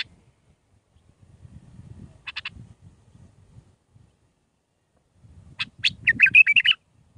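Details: Bulbul song of the Mandalawi style, played for training young birds: a short chattering burst, then after a pause a fuller run of quick, varied warbled and chirped notes lasting about a second, over a faint low rumble.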